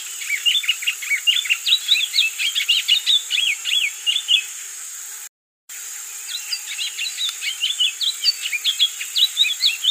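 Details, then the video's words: Wing-barred seedeater (coleiro do norte) singing a long, rapid run of varied high chirps, slurred notes and short trills, delivered almost without pause, with a brief cut partway through and a faint steady hiss behind. "O canto do Coleiro do norte"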